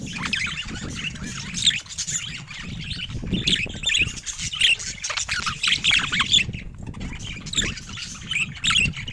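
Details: Pet budgerigars kept together chatter continuously, a dense stream of buzzy squawks and rapid warbled chirps overlapping one another, with a low rumbling background beneath the birds.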